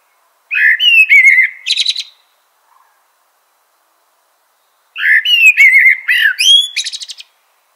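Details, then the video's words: Common blackbird singing two separate phrases. Each opens with low, mellow fluted whistles and ends in a high, squeaky twitter. A pause of about three seconds separates them. "Natural Birds Voice, Bird Natural Sound.Common Blackbird."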